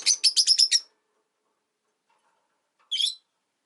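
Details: A rosy-faced lovebird, one of five kept in a cage by a window with city traffic noise outside, gives a quick run of six shrill, harsh chirps, then falls silent before one short, scratchy burst.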